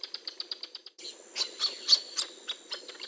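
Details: Wild Northern jacanas with a male caring for newly hatched chicks: quick string of thin, high chirps, then a break, followed by louder, irregular sharp notes.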